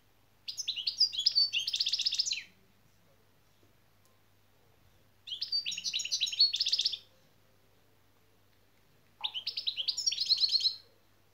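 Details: European goldfinch kept for song training, delivering three separate phrases of fast, high, tinkling twitters and buzzy trills, each around two seconds long, with quiet pauses between them and faint low rustling.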